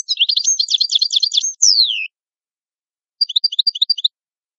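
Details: Italian European goldfinch (cardellino) delivering a fast twittering phrase ending in a long descending whistle, followed after a silence by a string of evenly spaced bright chirps.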